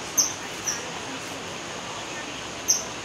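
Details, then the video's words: Kingfisher gives three short, shrill, very high whistled notes, two close together and one after a pause, over a steady background hiss. "Kingfisher call, 翠鳥叫聲"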